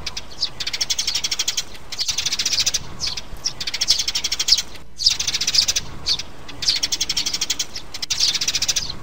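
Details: Sparrows, a mother and young, chatter in dense, buzzy bursts of rapid high chirps, a new burst every second or two, over a faint steady high hiss; a sound used to lure sparrows into traps.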